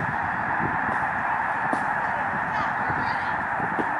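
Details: Canadian snow geese on migration at Lake Springfield, Illinois, filmed with a hand-held camera from Lincoln Memorial Garden: constant dense honking chorus, with occasional clearer individual barks over the steady mass of calls.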